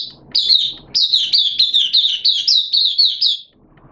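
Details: Oriental white-eye giving opening song (buka) on 11 September 2022 in wet, erratic weather; one sustained run of rapid, high, evenly paced chirps lasting about three seconds, then quiet.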